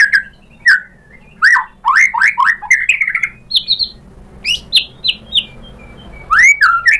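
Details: White-rumped shama song, used as a lure to stir other shamas into answering: spaced, clear whistled notes, some sharply upslurred, then a short level note series and a final pair of rising whistles.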